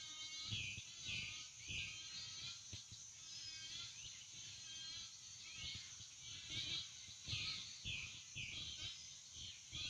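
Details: A busy Florida wading-bird colony at sunrise: overlapping high chattering and squeaky calls throughout, with occasional lower croaks and steady background noise.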